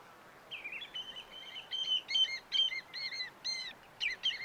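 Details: Green Jay out in the early morning sun, calling with a varied series of harsh, buzzy, ringing notes, some drawn out and some stacked and nasal, irregularly spaced and loud against a quiet background.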